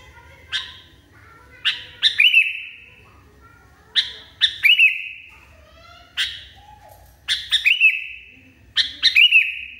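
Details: Sooty-headed bulbul singing in an agitated state: sharp, explosive chirps in short clusters every one to two seconds, several clusters ending in a bright ringing whistle that fades slowly, with a faint low hum behind.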